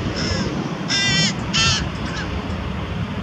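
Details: Carrion crow with prey, feeding young, recorded around Diemerbos on 22 July 2020: a faint call, then two loud, rasping, nasal calls in quick succession, with a soft trailing note, over low rumbling noise.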